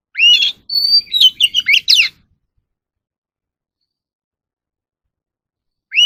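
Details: Oriental magpie-robin in full song, used for voice training of caged birds: rising whistle, steady high note and a dense chattering run of sweeps, then a long pause and a new rising phrase.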